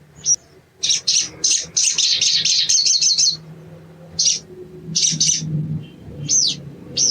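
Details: Hill blue flycatcher, a young untrained sogon, giving bursts of high chirps that run into a quick wavering trill, then separate sharp notes and a slurred down-swept whistle, against a faint low hum.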